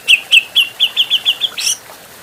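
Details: Grey-cheeked bulbul, an adult bird, in a clean practice recording: eight crisp, downslurred whistled notes repeated about every quarter second, ending in a brief harsh buzzy burst.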